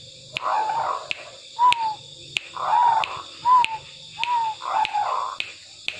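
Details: Tame zebra dove in steady song: short soft coos, some slurred downward, alternate with rolling pulsed phrases. Sharp clicks punctuate the sequence.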